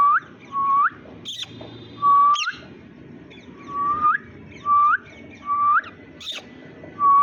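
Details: Green Indian ringneck parrot imitating human sounds: a string of pure whistled notes curling upward at the end, repeated about every second, with short broadband clicks and rustles between them.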